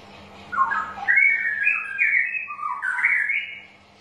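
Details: Straw-headed bulbul song used as a lure to stir birds reluctant to sing: a loud, rich warbled phrase that rises, holds in fluid bubbling notes, dips, then climbs again before fading, with a faint steady hum beneath.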